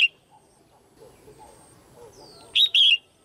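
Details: Female red-whiskered bulbul kept in a cage, calling to excite males or to pair: a soft falling whistle, then one quick pair of loud, warbling chirps near the end after a quiet stretch.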